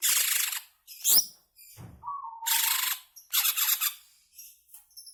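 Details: Provocation song of a greater green leafbird for caged birds: scratchy high bursts, a quick upward squeak, a flat whistled note, then dense rattling chatter and faint thin notes trailing off.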